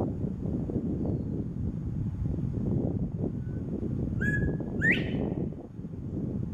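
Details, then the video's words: A male Northern Bobwhite, a non-native bird heard in a California neighborhood, gives one clear two-part 'bob-white' whistle, a short level note then a loud, sharply rising one, over a steady low rumble of wind or traffic. "Male Northern Bobwhite Quail Call ~ Song ~ Sounds ~ Whistle"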